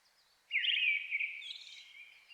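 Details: Brown-headed thrush singing in a forest at dusk in the Shin'etsu highlands of Japan in May, competing with a nearby Japanese thrush; one bright, slightly descending whistled phrase with a rough trill, fading out over about two seconds in quiet surroundings.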